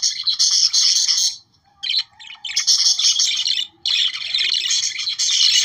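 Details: Budgerigars chattering to stimulate breeding: dense, noisy bursts of high warbling and chirping in three loud stretches separated by short near-silent gaps.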